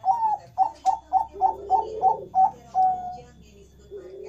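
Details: Zebra dove of the Bangkok type calling in the morning without stopping: a rapid run of eight short, clipped coos, then one drawn-out level note, with a person talking quietly underneath in an indoor room.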